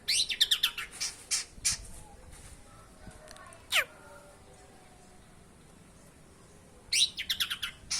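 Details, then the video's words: Long-tailed shrike, praised as a clever fighting bird that imitates many species, bursts into fast high chirping, falls silent except for one sharp downward slur, then resumes with a quick run of chirps. "Cendet burung seribu bahasa"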